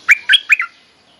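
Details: Bulbul mating call for teaching young birds: three fast, liquid, slurred notes in a short bubbly phrase, then silence.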